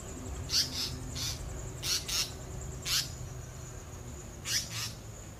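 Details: Asian paradise flycatcher (Terpsiphone paradisi), call.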